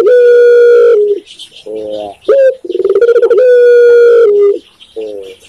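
Loud, low cooing: long drawn-out hollow notes alternating with short rolling, stuttered coos, the phrase repeating after about three seconds.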